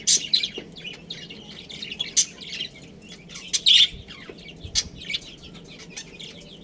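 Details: A colony of budgerigars, including a breeding pair, keeps up busy high chirping: sharp tweets and rasping notes overlap in quick bursts, with a few louder squeaks standing out from the chatter.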